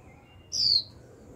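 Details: Young female Japanese white-eye giving one 'chíu' call, used to prompt males to sing: a single loud, thin whistle dropping steeply in pitch, over quiet low-frequency background.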